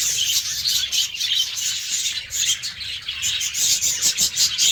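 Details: Morning aviary of pet budgerigars sharing a cage with lovebirds, giving a steady, busy stream of high, scratchy chirps and warbles from several birds, with no pauses.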